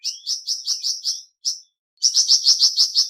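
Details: Flamboyan bird in full song with rapid, high-pitched chirping notes repeated several times a second. One run breaks off, a lone note follows, a short pause, then a louder, quicker burst.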